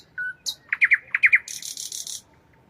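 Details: Nightingale singing at night: a soft low whistle, a high note, then a run of six loud descending slurred notes in two triplets, followed by a rapid buzzy high trill; otherwise quiet.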